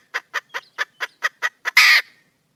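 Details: Wild hen junglefowl calling out for a mate, giving eight crisp, rapid clucks in steady rhythm, then ending in a loud, raspy burst lasting about a quarter second, in still surroundings.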